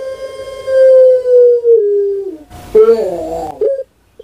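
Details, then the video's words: Champion puter pelung dove kept caged in Indonesia delivers a sustained coo that swells and slowly drops in pitch, followed by a rough gurgling, rolling phrase and a short final note before silence. "Puter Pelung JUARA NASIONAL BERAKSI KEMBALI"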